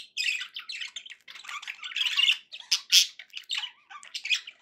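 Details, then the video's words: Pet budgies singing a rapid, grating chatter of harsh squawks and bright chirps, loud bursts rising and falling with hardly a pause. "budgie sounds to encourage your parrot to eat and sing"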